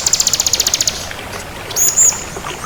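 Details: Crystal bar-winged prinia giving a quick series of about a dozen sharp, high, evenly spaced notes, then a brief thin whistle, against a steady hiss.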